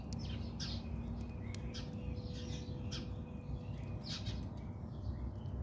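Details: House sparrows fighting in a backyard, South Africa: grating chirps and squawks in uneven bursts, some drawn out, with a faint steady tone and low rumble underneath.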